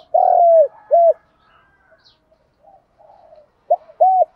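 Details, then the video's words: Spotted dove, male and female birds used for training, calling to stimulate other doves in the gáy gọi and thúc style. A long, slurred coo and a clipped coo come first. After soft murmuring, two more short hollow coos follow. "Tiếng Cu Gáy Giọng Hạp BổI ĐỦ BÀI [ GÁY GỌI,THÚC ] Kích Bổi Nhanh Nổi"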